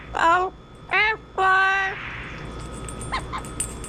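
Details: Three loud, raspy harmonic calls from a rescued pet Double Yellow-headed Amazon, the last one drawn out, followed by faint clicks and room noise.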